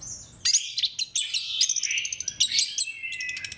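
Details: Lure song of an orange-headed thrush meant to prompt other thrushes to sing: after a brief pause, a burst of loud, high, tumbling notes with buzzy trills and quick sliding whistles, ending in a thinner sustained whistle.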